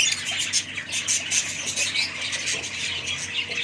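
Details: Short burst of budgerigar group chatter, thick with rapid scratchy squawks and piping high chirps layered over one another without pause.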